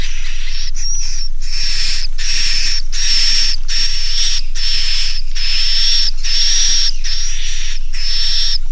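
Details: Edible-nest swiftlet roosting lure call, 'Naga Mas' style, used by swiftlet farmers to make young swiftlets roost: long hissing, buzzy notes with a thin whistled edge, each under a second, repeated steadily with brief pauses, about three a second.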